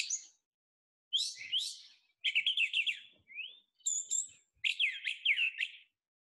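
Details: Brown thrasher in South Carolina during spring migration, giving its mimicking song: a run of varied, high, chirpy and whistled phrases, typically repeated in doubled pairs, with short pauses between bursts.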